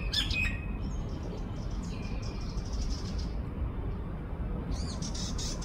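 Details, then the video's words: Sardinian warbler recorded 21 March 2024 at 6:42 am, giving high, scratchy chips and short dry rattling chatters, with a loud rumble of wind or distant traffic underneath. "סבכי שחור ראש מצייץ The Sardinian warbler is tweeting"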